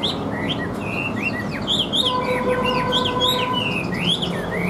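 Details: Caged Chinese hwamei, said to sing well with an even voice, pouring out fast, varied whistled phrases of rising and falling slurs, with a steady faint hum underneath.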